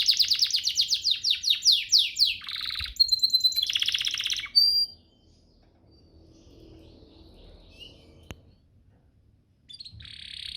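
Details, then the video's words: Canary training song: quick series of descending chirps and buzzy rolls for about five seconds, then near silence before a faint buzzy trill returns at the end. "Masteran Mewah Spesial agar burung kenari cepat GACOR"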